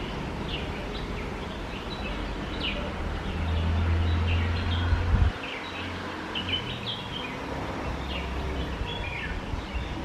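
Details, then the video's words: Red-whiskered bulbul calling while it eats, filmed close up: a run of brief, sharp, downslurred chirps repeated irregularly, several per second, over a constant low hum, with a louder low drone around the middle. "Red-whiskered bulbul eating and making sounds"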